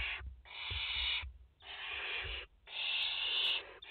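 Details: Barn owls nesting in France, mother with four chicks, late August 2021; three long harsh hissing screeches follow closely, with soft thumps underneath.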